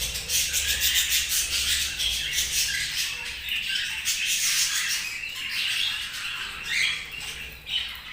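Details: Budgerigars in a loud, unbroken flock chatter: rapid grating twitters and high squeaky notes overlapping throughout, over a faint low hum.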